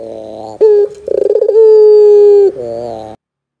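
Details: Barbary dove lure sound aimed at young doves: a sharp note, then a pulsing trill flowing into a sustained level coo, ending in a low buzzy phrase before silence.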